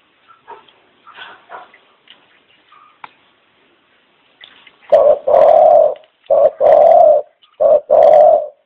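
A dove gives a run of five deep, hollow coos, about one every second, after a few faint scattered chirps and soft indoor noises.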